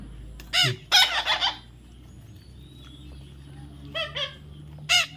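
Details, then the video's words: Baby parrot being handled for taming, uttering short harsh squawks, some in a quick burst of three, others single and spaced out, over a low steady background hum. "natural funny parrot sound"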